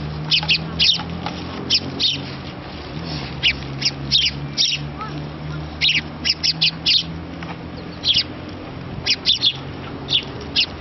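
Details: Young sparrow nestling begging its parents for food while a parent feeds it: short, sharp high chirps in quick clusters, about two dozen across the stretch, over a low steady hum.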